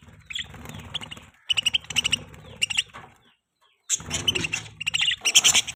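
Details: Mating budgerigar, a pet bird, chirping in quick clusters of high, buzzy twitters separated by brief pauses, with a low steady hum underneath.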